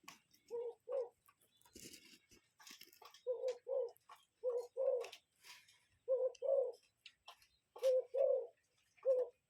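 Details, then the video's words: A cuckoo in nature gives low, hollow two-note 'cu-coo' calls, five pairs over about nine seconds, with faint high chirps of other birds behind. "Cuckoo Bird Sound"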